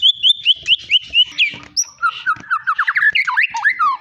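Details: Long-tailed white-rumped shama from Medan, a caged contest champion, singing varied material: high whistled notes repeated at a steady pace, a sustained pure tone, then quick descending and rising slurred phrases.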